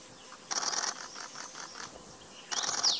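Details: Himalayan cutia (Cutia nipalensis) in northern Thailand, 2018, calling: two harsh, hissing rasps with a quick run of about five short chipping notes between them.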